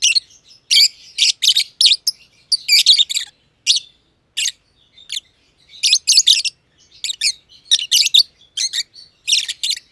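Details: Two lovebirds of the personata type, green and green pied, in a simple aviary, chirping for a long time. Steady stream of harsh, high screechy chirps in tight clusters, broken by a few short silences.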